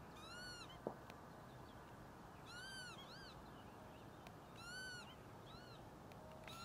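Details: Northern lapwing at Ljubljansko Barje (Črna pot), Ljubljana, on 13 April 2024, giving three wheezy, nasal, rising-then-falling calls about two seconds apart, over a steady low rumble with one sharp click.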